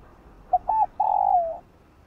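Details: A morning phrase from a spotted dove: one brief hoot, a quick double coo, then a drawn-out mellow coo that drops in pitch as it fades. The background is quiet apart from low rumble.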